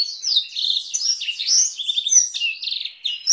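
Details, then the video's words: Master song of a canary in Blackthroat roll style for training canaries and White-rumped Shamas: a sweet high warble mixing slurred whistles with fast, evenly pulsed rolls, continuous and uninterrupted, no other sounds. "Masteran Kenari Durasi Panjang dengan Variasi roll Blackthroat"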